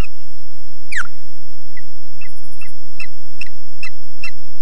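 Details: An osprey at Loch Garten, Scotland, defending its nest, recorded on a nest camera: a steep falling whistle, then a run of short, sharp whistled chirps about every half second over a low rumbling background.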